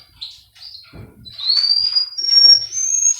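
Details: Male Russian canary from Miami, Florida in a training recording: quiet chirps, then a thin whistle rising slowly over a second and a half into a higher held tone.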